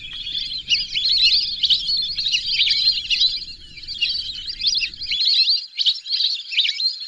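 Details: Squeaky, whistled twitters from a group of lesser whistling ducks run on without a break, high-pitched and jumbled, with a soft low hum that stops near the end.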